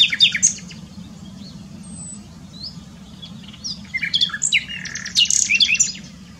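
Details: Nightingale at Dohr in the German Eifel sings a few sharp notes, falls quiet, then builds into loud, complex phrases of jumbled whistles and clicks.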